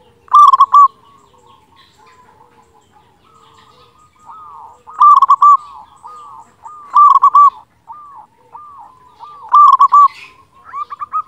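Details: Local zebra dove with a big voice singing steadily, a tutor song meant to stir quiet doves: loud trilled coo bursts every two to three seconds, linked by soft arched cooing notes and a faint chirp.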